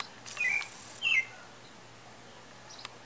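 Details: Song of a pale-breasted thrush with breeding season believed to be approaching: two brief whistled notes in quick succession, then near silence with a faint click.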